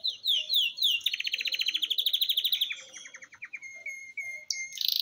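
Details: An 8-month-old young red siskin begins developing its song in fast, twittering trills and high, buzzy notes.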